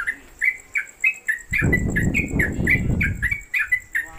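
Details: Yellow-vented bulbul (trucuk), a newcomer bird kept at home and hung on a gantangan pole, singing a long-lasting 'konslet kemedol' style song suited as a tutor for other birds: bright chirpy notes repeated about three times a second, with a steady high hum and a low rumbling noise midway.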